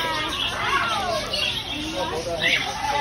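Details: Parakeets in Florida, recorded November 21, 2021: harsh, rising and falling squawks and chattering notes overlap, with bright calls near the start and another burst at about two and a half seconds over a steady background murmur.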